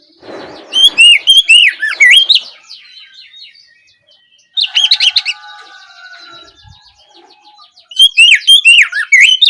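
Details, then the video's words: Oriental magpie-robin ngeplong song for luring other birds to answer in the late afternoon: three bursts of loud, wavering whistled notes with quick upslurs, quieter faint trills between them. "Pancingan suara Kacer ngeplong sore hari untuk merangsang Kacer supaya lekas nyaut bunyi"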